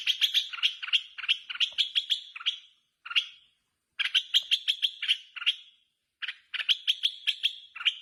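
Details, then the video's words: Red-whiskered bulbul in competitive song after being let outside, delivering bursts of quick chirping, warbled phrases separated by short pauses, three main bursts over eight seconds. "chào mào hót đấu mào mơ thả ra ngoài rít ác"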